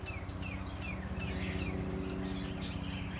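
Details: Cedar Waxwings flying into a loquat tree in a garden yard on 3 April 2015 give thin, very high, soft whistled notes, several per second, some slurring downward, over a steady low hum.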